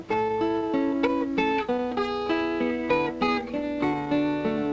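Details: Plucked acoustic guitar playing a steady melodic run of notes with no animal sound.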